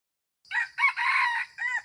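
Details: Red junglefowl rooster, a wild cock, crowing once: a short harsh opening note, a rising second syllable, a long strained middle phrase, then a brief falling tail, all in about one and a half seconds against silence.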